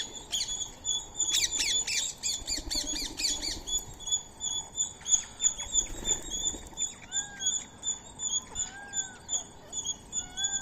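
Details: Indian ringneck parakeet feeding on soaked rice and corn meal beside a squirrel: a burst of harsh, ringing squawks repeated rapidly for about three seconds, then a steady train of thin, high ticking notes with a few soft downslurred chirps.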